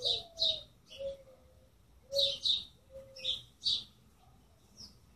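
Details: Small birds chirping in short bright bursts, several high tweets grouped in pairs, mixed with lower drawn-out whistled notes, quiet background.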